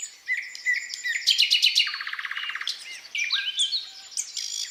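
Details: Thrush nightingale singing on 8 May 2022 while a siren sounds: rich, varied phrases of clear whistles, then a fast pulsed rattle with rapid repeated notes and a deeper stuttering trill, pausing between strophes.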